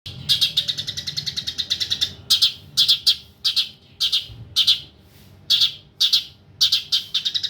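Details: Long-tailed shrike song used for tutoring other birds: bursts of sharp, high chirps, first a rapid run of notes, then separate clipped phrases repeated about every half second, with faint low background hum.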